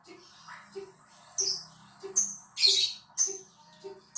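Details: Lovebird singing, recorded as a lure meant to set other lovebirds singing: sharp, shrill squeaks and scratchy chirps arriving about twice a second, over a soft, regular low knocking in the background.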